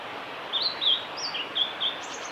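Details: Song of a male blue-and-white flycatcher at Lake Miyagase's Kanazawa forest road, Japan, 5 May 2018: a quick series of clear slurred whistles, one dipping lower, ending with a faint high note, against background hiss.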